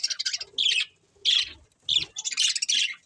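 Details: Budgerigars give short, harsh chirps and squawks in spaced bursts, with a busier, overlapping chatter at the close.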